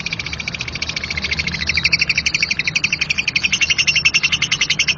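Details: Rough 'ngekek kasar' chatter from a lovebird, a dense, buzzy rattle of rapid high notes that swells in loudness after the first second and keeps going without a pause.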